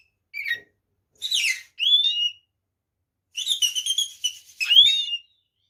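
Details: White-rumped shama fighting song intended to provoke other shamas: spaced phrases of bright, slurred whistles and buzzy notes, ending in a loud descending-then-rising whistled flourish.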